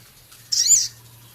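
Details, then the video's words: Male Javan cochoa in vigorous song with rough chattering phrases. Here a single harsh, high, wavering note lasting about a third of a second sounds over a low background hum. "Masteran Burung Sogon Jantan gacor isian full Sepah raja ketikan crecet kasar"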